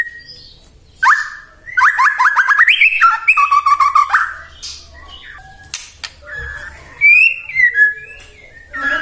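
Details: White-rumped shama singing to provoke other shamas to answer: rapid run of rich whistled and chattering phrases, rising and falling notes packed closely, then scattered sharp clicks and a few bright whistled slurs.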